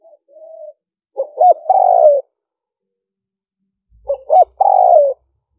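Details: Spotted dove in the liêu ròng cooing style, a call for luring birds. A soft lead-in hum, then two phrases of stuttered short notes and a long wavering coo that falls at the end. The phrases are separated by a silent gap.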